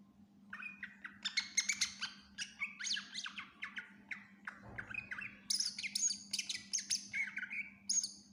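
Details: Greater green leafbird in full, vigorous song rich in fill-in phrases: dense run of sharp chips, squeaks and harsh notes, a brief pause, then high shrill chatter and falling whistles, all over a constant low hum.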